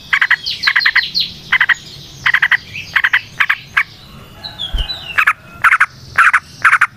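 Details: Yellow-vented bulbul (trucukan) singing energetically in a long rolling ngalas style, used as a lure to train other trucukan: short bubbly chattering bursts repeated about twice a second, with gaps, over faint background hum.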